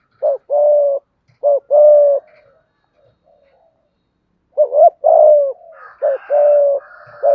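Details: Spotted dove performing a full call, urge and coo set meant to get other doves calling; repeated short-then-long coo pairs, a quiet gap, then a lively wavering phrase, with faint higher chirping from other birds toward the end.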